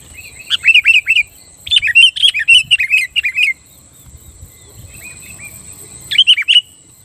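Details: Energetic sooty-headed bulbul song used to goad rival bulbuls: a long run of quick, liquid chirping phrases rising and falling over three seconds, a pause, then one short bubbly burst. Faint high hum in the background.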